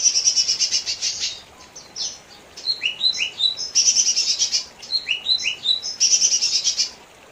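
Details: Lesser green leafbird song mixing fast, scratchy high-pitched trill bursts with runs of rising whistled notes stepping between two pitches, continuous over several seconds.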